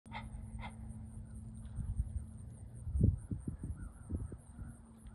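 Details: Great blue heron on a pond sounding a warning call as a bald eagle approaches and tries to grab a nearby American coot: two short, harsh squawks close together at the start, followed by low rumbling thumps and splashy noise.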